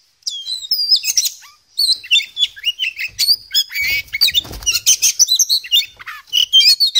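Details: Oriental magpie-robin, poci type, in lively ngobra song packed with varied phrases: dense bursts of sharp whistles, trills and scratchy notes in quick succession with only one short pause, a soft low rumble in the background.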